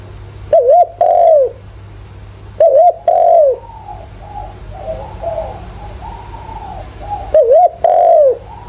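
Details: Decoy spotted dove calling in the 'giọng thổ' voice used to stimulate wild doves: three phrases of a short wobbling coo followed by a drawn-out descending coo, spaced a few seconds apart, soft background cooing from other doves and steady low hum.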